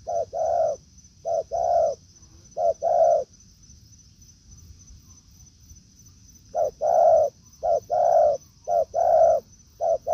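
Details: Spotted dove in woodland, a decoy facing a wild bird. Bursts of short-long cooing pairs, then a pause of several seconds before the rhythmic coos resume. A constant thin whine runs throughout.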